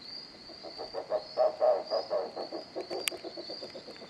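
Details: Rusty-barred Owl (Strix hylophila) at Intervales, Brazil, in October 2013, calling a series of low, croaking, frog-like notes, about four a second, swelling then fading, over a steady high insect whine.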